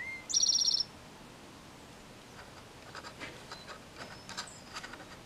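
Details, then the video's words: A male Eastern towhee that has lingered in a backyard since April 22 sings his mating song, said to sound like "drink-your-TEA": a short clear note, then a brief rapid high buzzy trill of about half a second, followed by faint scattered ticks. "Eastern Towhee: Drink your tea!"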